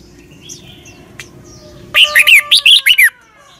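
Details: Red-whiskered bulbul in Thailand, southern-style song meant for young birds to learn: after two seconds of faint background chirps comes a crisp run of six or seven looping whistled notes.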